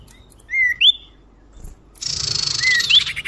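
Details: Common iora lure call used to attract birds: two quick rising whistles, a pause, then a sustained buzzy rattle with a faint whistle inside it.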